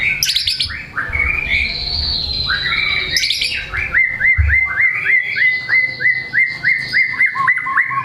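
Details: White-rumped shama in top form, unloading its song material to spur reluctant shamas: varied opening phrases, then a long series of short, sharp upslurred whistles repeated about three times per second.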